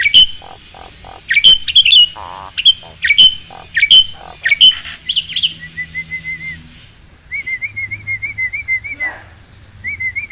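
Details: Black-winged starling song meant to coax lazy caged starlings into singing: a run of sharp, loud whistled chips about every half second, then quieter rippling wavy trills.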